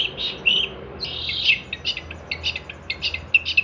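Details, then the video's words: Long-tailed shrike song used to train songbirds: scratchy, buzzy phrases broken by short whistled notes, then a series of quick clipped chips. "kicauan cendet gacor"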